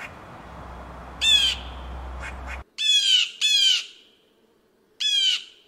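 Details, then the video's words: Blue Jay gives its classic call up close and very loud: four harsh, nasal jay-jay screams, each slightly falling, with a pair close together then a pause, and a faint low rumble early on. "Blue Jay Bird Sound Noisy, Beautiful, Interesting - Exceptional Blue Jay Calls"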